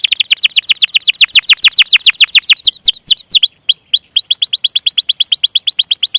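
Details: Canary song used as pancingan to coax birds that stopped singing and young ones: rapid, almost continuous descending whistled sweeps, briefly changing pattern in the middle before resuming a quick even run.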